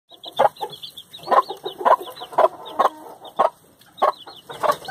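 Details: A mother hen with her chicks: the chicks give a steady stream of thin, high, arched peeps while the hen adds low, soft clucks at irregular intervals, about two per second.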